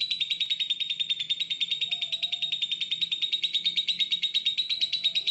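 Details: A lovebird, in a recording used for training other birds to sing, gives a long, unbroken, high, shrill chattering trill of rapid buzzy notes, steady in pitch and pace, with faint low room noise.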